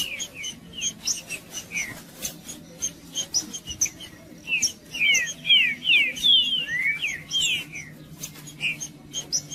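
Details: Male green-winged saltator (trinca-ferro) singing in the 'macheando' style, meant to provoke and warm up other birds: rapid sharp downslurred whistles, clustered and overlapping, with scattered clicks and a low hum.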